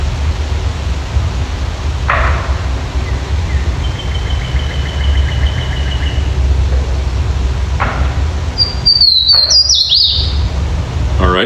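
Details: A Swainson's Warbler, recorded with an iPhone, gives a loud, ringing song near the end: slurred whistles falling into a quick descending flourish. A strong low rumble and background hiss carry throughout.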